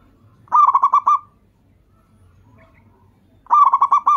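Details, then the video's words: Lure zebra dove of a local Indonesian strain, singing to prompt other doves: two trilled bursts of about seven fast, ringing coo notes, separated by three seconds of near silence. "perkutut lokal langsung gacor, sekali dengar suara burung perkutut ini bunyi"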